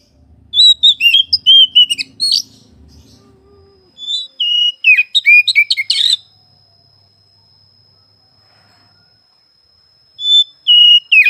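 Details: Caged oriental magpie-robin singing in short bursts of rapid whistles, sharp chirps and slurred notes, with long silent gaps between phrases and a thin steady high tone lingering between bursts.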